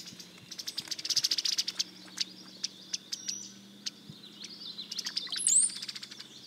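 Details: Brown-headed Cowbird spring song in a Central/Eastern US backyard, the "bubble bubble zee" vocalization: a bubbly run of quick high notes ending in a thin, sharply rising whistle; faint chirps fill the gaps.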